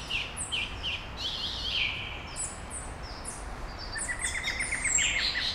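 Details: Small birds singing at dawn in Brasília, Brazil: several overlapping high chirps and short downslurred notes, then a fast rattling trill of evenly spaced ticks near the end, over a soft steady background hiss.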